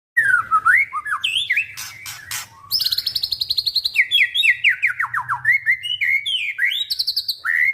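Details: White-rumped shama singing a rich, varied song: slurred whistles and rising notes around the start, then fast rattling trills and a long run of rapid repeated downward-slurred notes, ending in more whistled phrases.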